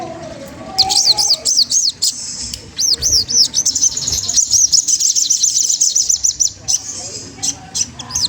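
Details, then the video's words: Magpie-robin singing to provoke a rival and stimulate it to sing: fast runs of high, arched chirps repeated in quick succession, joined at times by a continuous shrill trill, over a low background hum. "Suara bunyi sogon trotol menggoda lawan ampuh banget untuk rangsangan bunyi"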